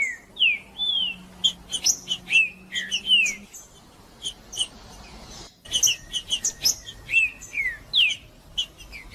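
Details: Green-winged saltator song used to warm up other males: rich, descending whistled notes mixed with sharp chipping accents in dense phrases, a pause midway, then another burst of slurred downward whistles and a faint steady hum underneath.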